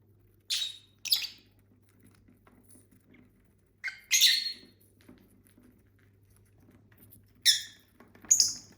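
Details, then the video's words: ['Domestic lovebirds, six birds kept as a family, eating and singing; paired bursts of sharp, grating high chirps coming in three groups, with soft background rustle.'] "Bird sounds for lonely lovebirds (Eating, Singing & Chirping Sounds)"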